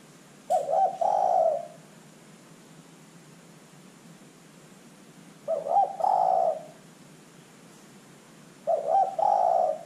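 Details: Zebra dove heard as a lure to draw calls from other birds: three rolling coo phrases, each a quick stuttered start and a longer purring note, spaced roughly four seconds apart.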